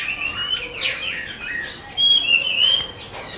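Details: Chinese hwamei of the 'mơ' type from a bird artisan: a short burst of slurred whistles, then a louder, clearer whistled phrase in the second half.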